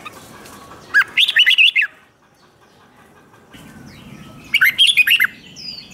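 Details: Bulbul competition song: two separate bursts of quick, chattering whistled notes, divided by about two seconds of faint background hiss.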